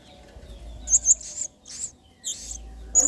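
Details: Blue-crowned hanging parrot in full voice, serving as training song for other birds: a few quick, thin, very high chirps and buzzy bursts with short silences between, over a soft low hum.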